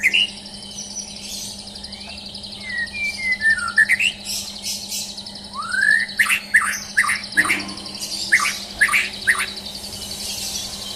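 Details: White-rumped shama, a champion bird being mentally tested, gives clear falling and rising whistles followed by a run of sharp, loud chattering notes, with a persistent high-pitched buzzing trill and hum behind.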